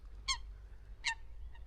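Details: Coots squabbling on a lake in France, thought to be a male and female fighting, one giving two loud, sharp, nasal notes about three-quarters of a second apart, then a fainter third, over a low rumble of wind.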